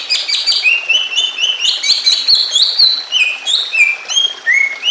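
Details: Agitated greater green leafbird song meant to make other leafbirds join in: a continuous run of high, rapid, clipped whistles and chattering notes, stepping down in pitch toward the end.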